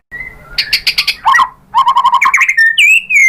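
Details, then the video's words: White-rumped shama singing to provoke other birds to sing: a thin whistle, bursts of rapid buzzy repeated notes, a lower chattering series, then a long clear falling whistle. "Bikin GACOR ‼️ MURAI BATU jadi EMOSI NYAUT BONGKAR ISIAN ¦ PANCINGAN MURAI ¦ SHAMA BIRD"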